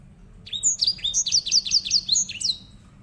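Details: Grey singing finch, the edel sanger prized as a canary tutor, delivers a lively string of high downward-sweeping whistled notes, repeated quickly for about two seconds, over a soft low rumble.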